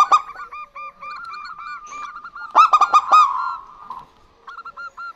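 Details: Duetting female and male local zebra doves. Rows of short, clipped whistled coos overlap, then a loud flurry of rapid ringing notes rises mid-clip, and soft coos return at the close.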